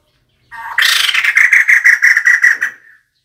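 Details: A single rapid series of about fifteen harsh, cackling notes over two seconds, given by a female White-crested laughingthrush and used as a decoy call.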